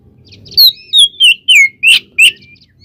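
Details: White-rumped shama song meant to provoke other shamas: six loud, falling whistled phrases spaced regularly over faint low background rumble.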